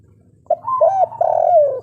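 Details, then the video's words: Spotted dove of local stock singing the kuk 3 style song: a short hooted note, then a drawn coo and a run of looping, throaty coos around one pitch, fairly loud and close. "Derkuku kuk3 lokal gacor ngamuk suara asli"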